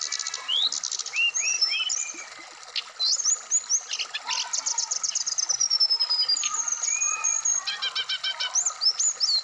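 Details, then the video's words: Black-throated laughingthrush song used as training audio for a kept bird, played during morning dewing to prompt fast 'wikplong' singing with full variation; dense bright whistles, upslurred notes, fast trills and rapid repeated chips in varied phrases. "terapi srdc biar cepat bunyi wikplong Dan gacor full variasian"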